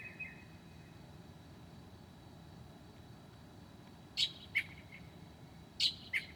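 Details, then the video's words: Northern mockingbird singing at 2 a.m. on 7/9/2008, mimicking other species: after a quiet stretch, two pairs of sharp, high, dropping notes arrive about a second and a half apart over faint background hiss. "HIGH QUALITY AUDIO of a Mocking bird at 2:00 A.M."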